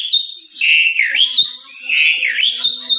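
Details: Indoor Asian pied starling song used as a lure to get birds singing: looping whistled notes that swoop down and back up, repeated roughly every second, over a steady high ringing tone.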